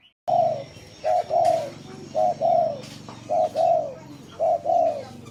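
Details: Spotted dove giving its gù cooing song: low, mellow coos in paired phrases, a short note then a longer one, repeated about once a second, with faint chirps from other birds behind.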